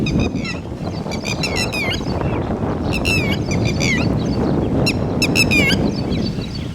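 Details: Red-wattled lapwing with chicks: scattered bursts of sharp, high, stuttering notes in rapid groups, somewhat softer and partly buried under a loud, steady low rumble.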